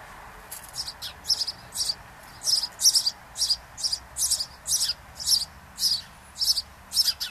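A house sparrow gives a steady run of about thirteen short, bright chirps, roughly two each second and slightly uneven in pace. There is only a faint hiss behind it.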